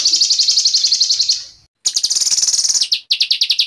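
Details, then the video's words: White-rumped shama singing agitatedly: a fast run of high buzzy notes, about four per second, then a brief silence and a second, denser chattering burst ending in clipped repeated notes. "MASTERAN MURAI BATU GACOR ! LANGSUNG NYEMPLONG & EMOSI !!!"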